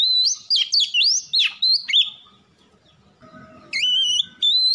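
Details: Oriental magpie-robin singing in a lure recording to prompt singing: a fast run of varied swooping whistles, a pause, then long clear sustained whistled notes.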